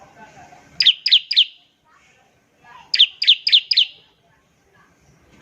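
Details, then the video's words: Ngebren-style trilling song of a bar-winged prinia, meant to prompt other prinias to start singing. A short run of three piercing high notes, a pause, then four more, with faint background murmur between. "ciblek semi gacor, NEMBAK NGEBREN untuk pancingan ciblek semi agar cepat bunyi"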